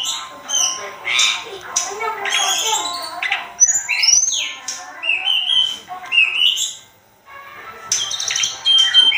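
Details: Sunda robin in a masteran song-tutor recording, described as vigorous and spirited: a dense, varied run of squawky harsh notes mixed with clear whistled slurs rising and falling, with a short pause near the end before the song resumes.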